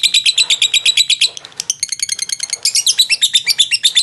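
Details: Contest lovebird in Jogja, Indonesia, performing the long 'ngekek' song: loud, rapid, harsh high-pitched chatter repeated about three times a second, with a short stumble midway before the trill resumes.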